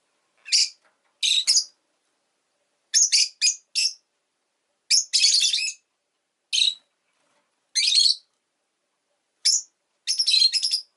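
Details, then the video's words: Pet rosy-faced lovebird giving loud, harsh, high-pitched chirps in short bursts and clusters, repeated irregularly about every one to two seconds with brief silent gaps. "Lovebird Chirping Sounds"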